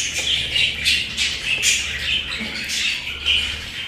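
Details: Pet budgerigars give harsh, rasping squawks mixed with short chirps in an uneven, steady flow of sound.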